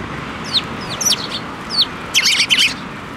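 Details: Sparrows flying onto an outstretched hand for food at a Tenmangu shrine on 7 May 2024; thin downslurred chirps followed by two loud, harsh chattering bursts.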